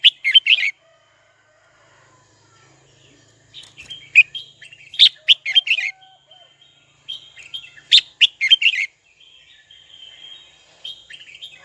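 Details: Captive red-whiskered bulbul calling a rival: quick bursts of bright, chattering whistled notes in three groups separated by quiet stretches.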